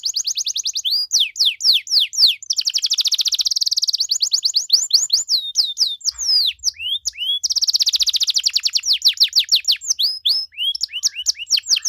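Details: Canary song of the rich 'cengkok mewah' style, played to prompt other canaries to sing back: continuous high rolling trills and repeated rising sweeps, changing speed several times over about twelve seconds.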